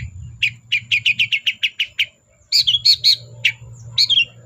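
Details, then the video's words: Long-tailed shrike in lively, full song, meant as a lure to start silent shrikes singing: a fast, even run of about ten clipped notes, then a brief gap and harsher, squeaky, varied phrases over soft low hum. "BURUNG CENDET GACOR DOR PANCINGAN CENDET MALES BUNYI"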